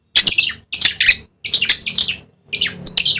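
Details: Dusky lory, a bird endemic to Papua in eastern Indonesia, giving harsh, shrill screeches in four quick bursts, each made of two or three grating squawks, in a small room.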